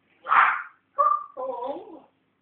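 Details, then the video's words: Pet African grey parrot learning to talk and whistle, producing a rough bark-like burst followed by two tonal, voice-like phrases with stacked harmonics, wavering in pitch, while its owner coaxes it to speak indoors. "Buba my talking african grey"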